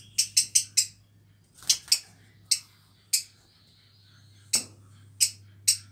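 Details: An old pair of black-cheeked lovebirds (Agapornis nigrigenis) nesting in an aviary give sharp, shrill chirps, singly or in quick bursts of three or four, high-pitched and irregular, over a steady low hum.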